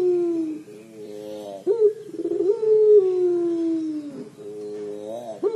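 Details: Repeated 'crying' coos from a puter pelung collared dove: low, falling notes with abrupt rough rises, and a long, wavering held tone in the middle.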